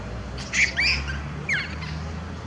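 A song sparrow gives a few quick, bright chirping and slurred notes in two short bursts, over a steady low hum.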